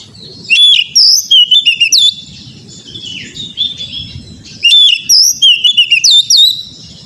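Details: Kacer (Oriental magpie-robin) song from a recording meant to coax birds into singing; two energetic whistled-and-chipped phrases with softer warbling between them, over a faint low rumble.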